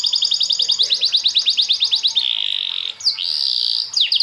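A canary sings a fast, rolling trill of rapid rising notes, then a sustained buzzy tour and sharp sweeping whistles, all high and bright.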